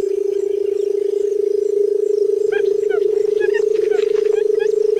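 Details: A barred buttonquail (Turnix suscitator) in a field gives a low, steady droning purr that holds one pitch throughout, with thin, high chirps from other small birds over it.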